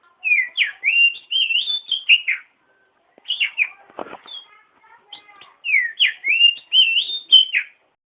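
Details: Oriental magpie-robin producing a tutor song for other birds: melodic whistled phrases rising and falling, a brief broadband flutter midway, then the whistles resume.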